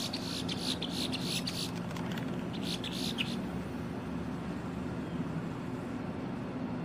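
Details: Female boat-tailed grackle singing in October 2023: a dense run of harsh, clicking, broadband notes over the first three seconds, then quiet, with a steady low hum throughout.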